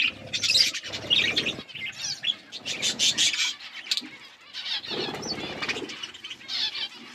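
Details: Budgerigars flocking while they eat: loud bursts of high chirping and twittering alternate with rustling and wing-flapping sounds, rising and falling in waves.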